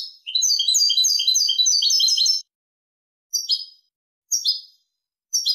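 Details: European goldfinch, Malaga song type used for tutoring chicks and hybrids: two seconds of fast, tinkling, jumbled twittering, then three short sharp chirps repeated about once a second, in clean silence.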